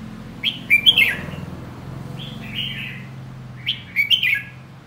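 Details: Red-whiskered bulbul repeating its short whistled song phrase, a burst of three or four slurred notes, then a softer note, then the phrase again, with a low hum beneath.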